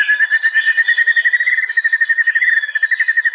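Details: White-rumped shama 'tembakan' in an East Java master compilation of real recordings made on an Android phone: one steady rapid trill of evenly repeated whistled notes, about three per second, with faint higher notes.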